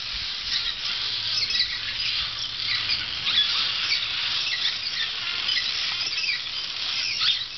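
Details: A dense, continuous twittering of many barn swallows in summer, with high-pitched chirps and squeaks overlapping without pause, over a faint low hum.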